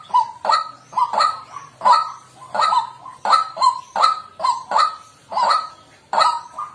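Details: Repeated croaking calls of a white-breasted waterhen, each a coarse nasal honk with a bright ringing edge, coming in an even rhythm with occasional quick double notes over a faint low hum.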